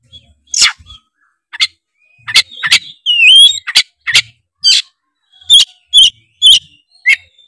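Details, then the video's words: Oriental magpie-robin (kacer) in the tretes style, used as a lure to make rival birds sing; sharp buzzy bursts alternate with a sliding whistled phrase, about ten notes in under eight seconds, with soft low thumps. "pancingan kacer tretes gacor ngeplong bikin kacer lawan auto gacor ngeplong denger suara kacer ini"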